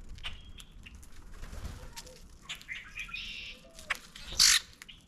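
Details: Late-spring flock of common grackles dominating a backyard feeder: a buzzy, hissing squeak, then a short, very loud harsh rasp, with scattered faint chirps and a quiet outdoor background.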